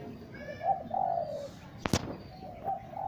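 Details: Spotted dove giving low, mellow coos, a brief note then a longer sustained one, interrupted midway by a sharp knock before the cooing resumes.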